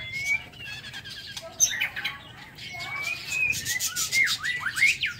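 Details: Morning song of a caged white-rumped shama in an aviary: clear whistled notes and swooping slurs, with scratchy chirps and clicking bursts between phrases.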